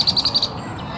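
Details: Wood duck ducklings, a brood at High Park, giving a quick series of five thin, high peeps within half a second, followed by quiet background.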